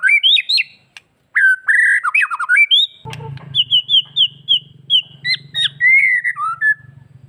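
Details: White-rumped shama song recording, meant to rouse males and young birds to breeding condition and aggression: loud tumbling whistles and rapid slurred phrases, then a series of spaced, clear repeated whistles over a low steady hum.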